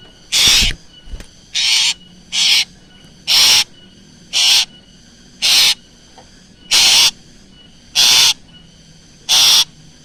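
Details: Black drongo, recorded as a lure: nine rasping screeches repeated roughly every 1.2 seconds, steady and evenly spaced.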